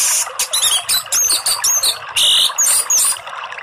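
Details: Orange-headed thrush song used as a master recording for training captive birds: bright, high whistled notes and quick chattering phrases in short bursts, with a steady background of trickling water.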